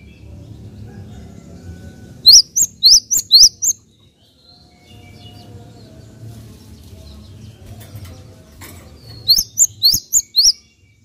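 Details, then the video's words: Java sparrow sounds used to provoke other birds of its kind: two bursts of bright, upswept chirps, about five each, separated by several seconds of quiet low rumble. "AMPUH MERANGSANG BUNYI GELATIK"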